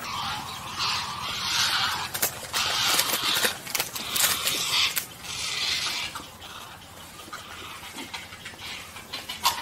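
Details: Grey herons in their breeding season at a fishing village's heron colony in Luoyuan County, Fuzhou, Fujian, China, flying over thickets. Harsh, rasping squawks overlap in dense bursts, loudest in the middle, over steady colony noise.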